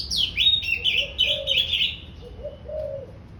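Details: Oriental magpie-robin just coming into breeding condition, giving a pleasant song: a rapid two-second burst of high twittering, slurred whistles and chatter, then pauses while a low dove-like coo continues behind.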